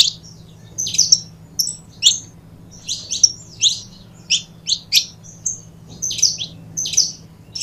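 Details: High, sharp chirps from a saffron finch pair, delivered in separate spaced notes and small clusters about every half second, with a low steady hum underneath.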